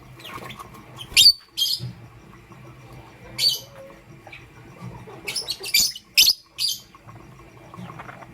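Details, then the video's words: Pastel grey and green lovebirds in the morning utter scattered short, piercing chirps, single or in pairs, with brief quiet gaps and faint background rustling. "Pastel Gray LoveBird Chirping Sound"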